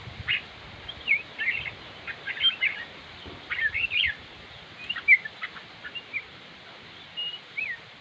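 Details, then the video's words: Red-whiskered bulbul singing: short bright warbled and whistled phrases in quick bursts, some rising and falling, with brief pauses between groups; quiet background otherwise. "chim chào mào diab kuam lauj quaj zoo heev"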